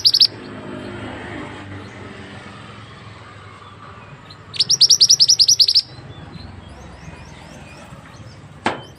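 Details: Mantenan bird serving as a tutor recording: after a brief opening chirp and several seconds of low background noise, a single burst of rapid high chirps, followed by a sharp click near the end.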